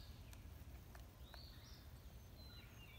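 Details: A Pileated Woodpecker, close by, on or near the ground, hammering at a recently dead tree, gives a few sharp irregular knocks about half a second apart, over low rumbling noise and faint distant bird whistles.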